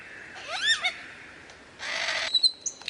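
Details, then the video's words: A lyrebird runs through varied mimicked sounds: swooping slurred whistles, a harsh rasping burst, then a thin high sustained whistle. "suara variasi burung lyrebird"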